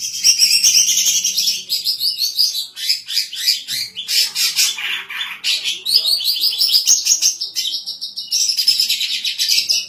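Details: Female greater green leafbird singing actively, kept as a tutor for other birds and as a lure: a continuous, loud, high run of quick chirps and sliding whistled phrases, varied and almost unbroken for ten seconds.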